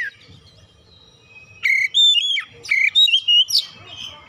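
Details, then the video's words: Oriental magpie-robin song used as a lure to make birds sing, with a few loud whistled and warbled phrases in the second half after a quiet start, low hum underneath. "PANCINGAN KACER BUKA PARUH GACOR NGEPLONG BONGKAR ISIAN"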